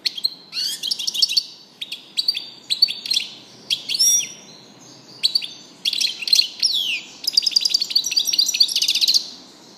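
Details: Goldfinch singing in bursts of fast tinkling twitters and buzzy trills, phrases separated by short pauses, loud and close with a quiet background.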